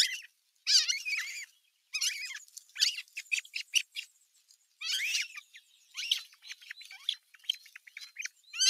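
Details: Older osprey chicks squabbling at nest #1 on 15 June 2023 while an adult watches from a nearby perch: bursts of high, shrill, downslurred chirps and squeals in irregular clusters, separated by short silences.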